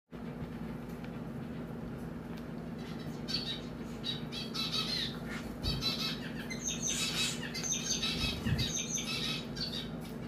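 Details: A female zebra finch being scratched while her sister helps gives soft, scratchy chirps and squeaks in uneven bursts, busiest toward the middle, over a steady low indoor hum.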